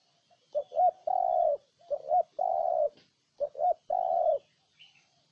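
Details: Spotted dove of Ninh Thuận, Vietnam, cooing three times in steady sequence. Each phrase is a pair of short throaty notes and then a long, level, mellow coo, about every one and a half seconds.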